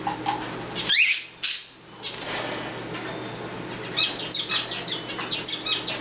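A cockatiel gives a sharp rising whistle, then a run of quick, bright chirps.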